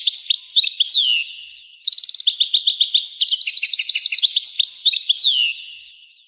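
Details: Goldfinch in a rare 1985 recording sings a sweeping downward whistle, then a long dense stretch of fast tinkling twitter and buzzy trills, ending with another falling slurred whistle.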